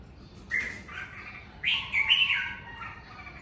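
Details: Red-whiskered bulbul singing at home during the Covid season: a sustained whistled note, then a louder, rich warbling phrase that rises and falls before fading.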